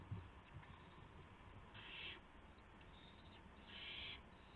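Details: Owl at its nest at 1:00 AM on March 24, 2016, during a gopher prey delivery. Two separate harsh, airy hisses about two seconds apart stand out against a quiet, humming background.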